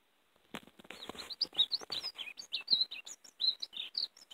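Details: Greenfinch warbling played to call in and catch greenfinches, opening with a few dry clicks before a quick stream of high chirps and twittered notes that keeps going to the end.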